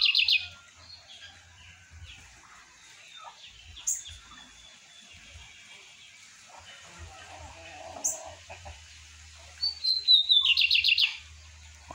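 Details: Captive lined seedeater singing in the morning around 8:30: a short loud buzzy trill opens, a long quiet stretch with faint chips follows, then a whistled note leads into another dense trill near the end.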